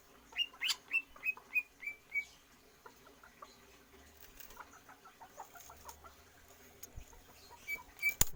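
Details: Greater green leafbird, trained for longer breath without free-flight exercise, gives about six evenly spaced bent whistles. Quieter scattered chirps follow, then two more whistles and a sharp click near the end.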